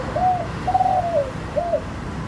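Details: Spotted dove in the Thai khan yon song style, middle-pitched voice with a single 'kuk' and sweet tone: a mellow coo, then a longer drawn-out slurred coo, then a final short coo, with low background rumble.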